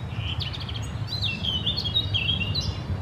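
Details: A male Eurasian blackcap on 3 May 2022 sings a quick, varied warble of bright, fluty notes and short slurred phrases, over a steady low rumble.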